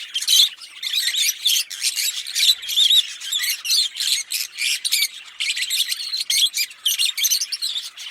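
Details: Pair of green Fischer's lovebirds in shrill chirping song, harsh high squawks and chirps repeated in quick pulses without pause, busy and loud throughout.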